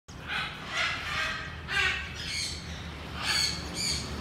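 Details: A pair of Chinese hwameis, one white and one mottled, gives harsh, rasping bursts about every half second, mixed with brief high whistled notes, over a steady low hum.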